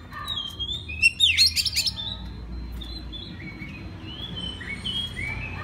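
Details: Master song of an Oriental magpie-robin, used to teach and stir other magpie-robins: a burst of sharp rapid chips, then clear slurred whistles rising and falling, spaced about a second apart over faint background hum.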